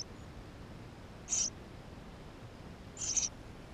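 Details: Inside a Eurasian tree sparrow nest, young birds recorded with a GoPro give two brief, high, slightly buzzy squeaks about one and a half seconds apart, with faint hiss between them.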